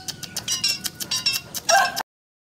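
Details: A tame captive Asian pied starling (Gracupica contra) sings, chattering in quick, harsh bursts about five a second, with thin whistles and a louder squeaky flourish at the end.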